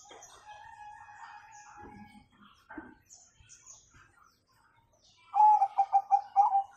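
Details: Bangkok zebra dove singing in the 'kung' style, used as a lure to get young birds singing: after faint scattered chirps, a loud burst of rapid, pulsed mid-pitched coos, about six beats closing on a held note.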